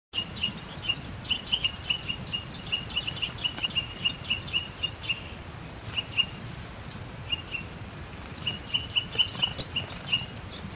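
Eurasian nuthatch singing in bursts of loud, clear piping notes, each run of a few to a dozen quick even whistles, over a soft low background rumble.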